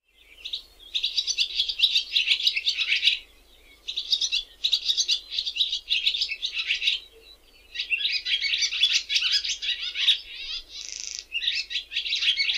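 A barn swallow sings a fast, scratchy twittering warble in bursts of two to three seconds, with brief pauses and a buzzy rattle near the end.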